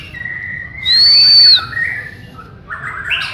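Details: Borneo white-rumped shama during a training session: a quiet steady tone, then one loud, clear high whistle held for about half a second, followed by soft warbling and a burst of buzzy notes.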